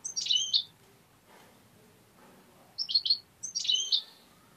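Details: Tame European goldfinch kept as a pet bird, uttering clusters of quick, high, liquid twitters, a first burst then two more close together after a short pause, with faint background noise.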